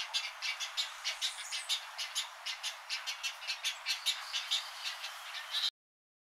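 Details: A Western cattle egret (Bubulcus ibis), a common resident in Puerto Rico, gives harsh, dry croaking notes in rapid, uneven bursts of several per second, over a busy chatter of more calls.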